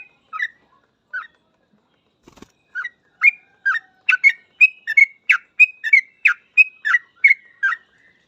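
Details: Sooty-headed bulbul, locally trucukan, singing in gacor full ropel style: a few scattered whistles, then a soft click, then a quickening chain of bright chirping notes that grows denser toward the end.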